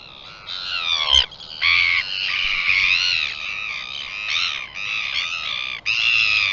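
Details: A Northern royal albatross on 4 September 2021 gives harsh, drawn-out, wavering screeching calls almost without pause, breaking off briefly twice; no other clear sounds.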